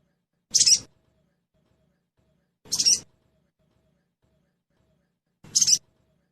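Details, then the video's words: A sogon trotol sound played as a lure so the bird sings quickly: three isolated high, sharp chirps at uneven intervals of two to three seconds, clean background. "Suara pancingan SOGON TROTOL agar cepat bunyi"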